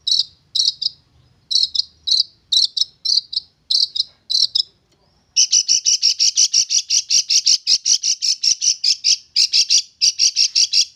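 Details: Tamed young wild long-tailed shrike, kept about three months, singing: scratchy paired chirps at first, then a fast, continuous run of rapid harsh, high notes packed closely together, loud and insistent.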